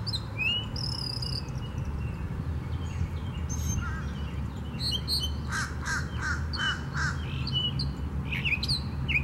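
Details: Northern mockingbird at Tattnall Square Park on 11 May 2015, singing a varied string of whistles, harsh chatters and buzzy notes, phrases shifting every second or so, over a steady low rumble of traffic.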